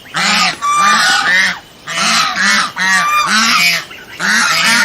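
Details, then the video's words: Domestic swan geese honk loudly and harshly in nasal, overlapping bursts, about four clamorous bouts in five seconds. "Domestic Swan Goose Sound Effect"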